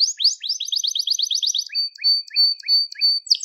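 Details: Crested Gloster canary singing, kept as a pet, song used for training young canaries: rapid repeated falling syllables in a fast trill, then a steady high whistled tone broken by short lower notes.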